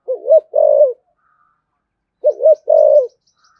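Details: Spotted dove of 'thổ sấm' deep voice giving 'thúc gù' and calling coos: two matching low phrases about two seconds apart, each a quick double note then a long steady coo, with faint high ticking in the background.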